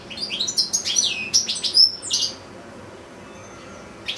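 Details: Caged European goldfinches kept with goldfinch-canary hybrids, two goldfinches and two young hybrids, one goldfinch singing a long recital; a rapid burst of bright, high tinkling twitters and buzzy trills for about two seconds, then near silence.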